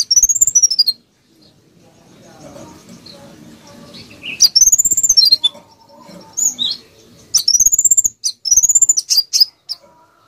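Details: Konin bird in lively, dense song used as a training recording for other songbirds: loud, high whistled sweeps rising then falling, each run through with rapid clicking pulses, in bursts of about one second separated by short pauses, with a faint low background murmur.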